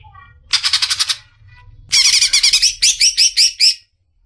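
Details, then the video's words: Greater green leafbird, called a future champion, singing in a tutor recording: a short burst of rapid buzzy notes, a pause, then a longer run of sharp, evenly spaced whistled notes that slow toward the end. "masteran suara burung cucak ijo calon juara"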